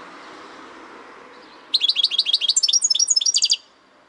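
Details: European goldfinch song: a two-second burst of rapid, bright, tinkling notes, closely spaced and high-pitched, after a quiet lead-in with faint background hiss.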